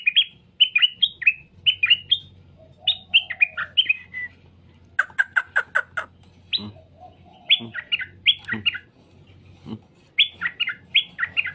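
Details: Straw-headed bulbul singing to provoke answers: clusters of fast, liquid, warbled notes recur through the passage. Other birds add a burst of harsh chirps midway, over a low hum.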